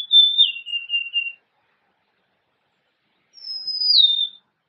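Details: Golden-crowned sparrow song: clear whistled notes, a level high whistle slurring down into three short lower notes, then after a pause a single long whistle gliding downward; no other sounds.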